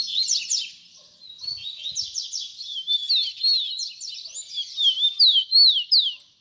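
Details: Teaching song in the baderna style from a double-collared seedeater: loud, high, sharply slurred notes strung into fast repeated phrases about three per second, ending in clear down-swept whistles before fading.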